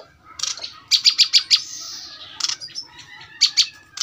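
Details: Brown-throated sunbird, known locally as kolibri kelapa, giving a few sharp, high chirps in quick clusters, then a brief pause before two more bright notes, over a faint low background hum.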